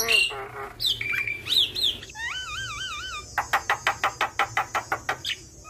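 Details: Javan myna (jalak kebo) in full song, mimicry-rich masteran used for training other mynas: falling and wavering whistles, a warbling trill, then a fast series of sharp clicking notes, about ten in under two seconds.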